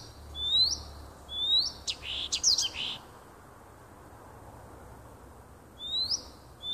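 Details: Singing nightingale in woodland near a home on 30 June 2015: upward-swept whistles, a brief burst of mixed chattering notes, then a long pause before the rising whistles return.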